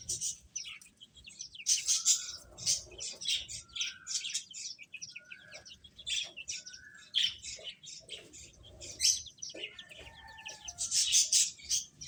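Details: Chicks eating and chirping: repeated clusters of sharp high peeps separated by short pauses, with a few lower drawn-out whistled notes and clicking pecks in between.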